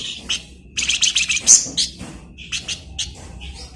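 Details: Flamboyan bird in full song, used as a training model for magpie-robins: a dense run of rapid, shrill chirps and trills, then a looser series of short, high chips.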